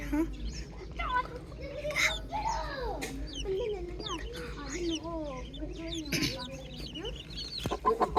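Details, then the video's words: Morning farm chickens: soft, low, rolling clucks and curved mid-pitched calls dominate, with scattered higher chick peeps and a few sharp clicks near the end over a low background hum. "Calm Chick Chirping Sounds"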